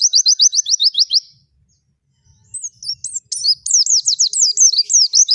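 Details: Energetic forest-style (ngalas) singing from a white-eye on a tutor recording: a fast run of sharp repeated high notes, a brief silence, then a tumbling stream of twittering zigzag whistles.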